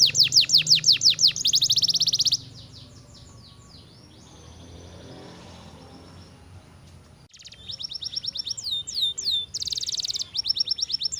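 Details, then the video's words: Canary trilling rapid falling notes, then a stretch of low rumbling background noise with faint distant chirps, before the fast bright song resumes with rising and falling slurs. "KICAU MANIA "KENARI""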